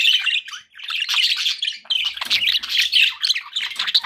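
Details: Loud, harsh squawks mixed with rapid warbled chirps from pet budgies, an almost unbroken babble of several birds calling at once.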